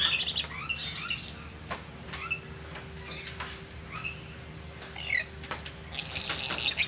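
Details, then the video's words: Lory from a bird collection, described as gacor (a lively, vocal bird), calling repeatedly with harsh, rising, screechy squawks at uneven intervals. Sharp clicks and a steady faint hum are heard between calls. "KOLEKSI BURUNG NURI GACOR"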